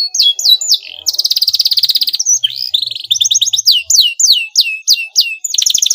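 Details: Song of a canary, played to draw an immediate reply from a rival: quick downslurred chips open into a dense high trill, followed by rolling double notes and a steady series of sharp falling whistles.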